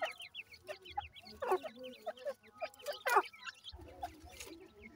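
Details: Chicks of the grey francolin from Punjab, Pakistan, giving rapid series of high, brief falling cheeps in quick runs, interrupted by a few louder broadband scuffs and low thumps.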